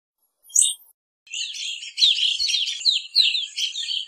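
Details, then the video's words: After one high note, a stream of overlapping, warbling evening grosbeak chirps and slurred calls runs on without pause, lively and dense. "Evening Grosbeak Singing, Grosbeak Calling - Pepitero Norteño Canto"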